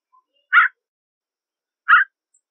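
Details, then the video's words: Gray jay, also known as Canada jay, uttering two loud rasping notes over a second apart, each brief and harsh, in otherwise silent surroundings. "Canada/Gray Jay Song! Canada/Gray Jay Voice!"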